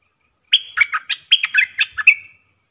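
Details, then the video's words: ['Caged bulbul in a singing duel with wild birds, recorded 3 October 2021: one quick phrase of about ten clear, whistled notes, some level and some dropping, packed into under two seconds. The background is otherwise silent.'] "เสียงนกกรงดอกแตงEp.82 ดวลเพลงกับนกป่า!!"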